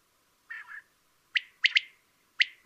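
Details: Common quail (Coturnix coturnix) song: a soft, low nasal double grunt, then sharp liquid whistled notes. One note stands alone and the rest come as quick pairs, with clean silence between them.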